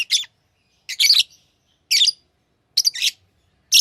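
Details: Pet lovebirds giving harsh, high chirps in short bursts about once a second, some bursts doubled, with silence between calls.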